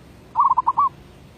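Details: Zebra dove (merbuk), 2019, single phrase of derak labuh voice-B song: a brief run of four or five low cooing pulses, the final one drawn out and rolled.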